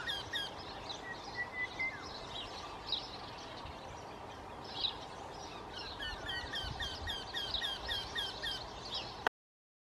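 A Eurasian Wryneck gives a fast series of nasal, slightly falling 'quee-quee-quee' notes in its second half. Other small birds twitter high above a steady background hiss.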